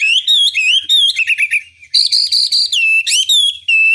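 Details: Loud Chinese hwamei song used to provoke rival birds to respond: varied phrases of clear, bending whistles, some held steady and others sliding up or down, broken by short pauses.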